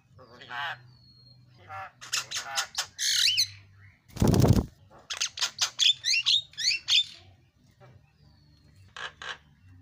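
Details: Javan myna (jalak kebo) isian filler song, played as a lure for birds: scattered squeaky notes and rough chatter around a loud thump midway, followed by a run of sharp twisting whistles and a brief final burst.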